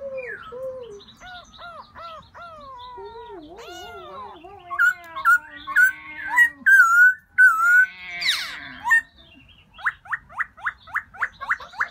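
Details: Black-throated laughingthrush calling out for a new mate in springtime: a varied sequence of slurred whistles and wavering notes that turns into loud, repeated falling phrases, then ends in a quick series of short, evenly spaced upward notes.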